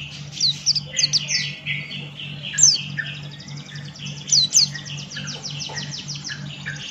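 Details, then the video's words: Extended bout of male Buxton's white-eye 'ngalas' song: high sweeping whistles, then a long rapid rattle of twittering notes in the second half, a low mains-like hum throughout. "Burung Pleci Buxtoni Gacor Ngalas Buka Paruh"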